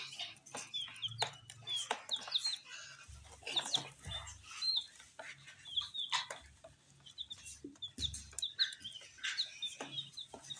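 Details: Small dyed chicks feeding on a spicy snack, uttering scattered short high peeps amid frequent pecking clicks and light tapping sounds, with brief pauses between bursts of chirps.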